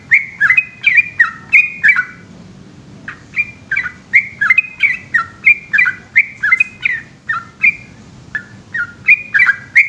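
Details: Long 'ropel' song at night from a yellow-vented bulbul in Indonesia: a dense run of bubbly, down-slurred whistles, a brief lull near three seconds, then the rapid rolling notes pick up again.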